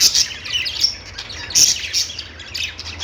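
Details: Budgerigar chirping: thin, piercing whistled notes and quick twitters, with a few louder squeaks standing out from the background chatter.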